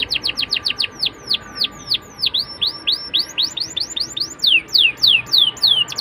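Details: Canary song meant to draw young canaries into song: a lively run of sharp descending whistles, some bent upward, repeated several times per second, over a faint steady tone.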